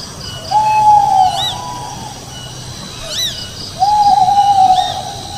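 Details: In the fields, an owl gives two level, drawn-out hoots about three seconds apart, with brief high swooping chirps from other callers between them.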